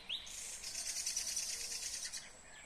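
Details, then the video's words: Nightingale from Kyrgyzstan, 2020, delivers a single rising note and then a continuous, very high buzzing trill lasting about two seconds. "Незабываемое Пение соловья / Chill out Nightingale Singing / Булбул уну / Булбул овози"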